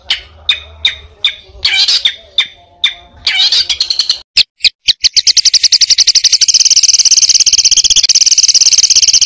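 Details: Competition-bird training song: clipped, evenly spaced chirps giving way to sharp clicks and then a long, high, dry rattle that speeds into a continuous buzzy trill.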